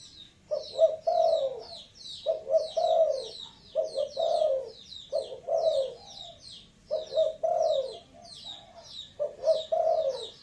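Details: Spotted dove repeating mellow, burry coos in clusters with short pauses between them, while a small bird keeps up busy high-pitched chirping in the background.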